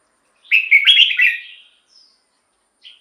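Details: Decoy song of a caged red-whiskered bulbul, meant to lure wild birds or rouse other caged birds: one bright, bubbling phrase of several tumbling whistles, followed by silence and a faint short note.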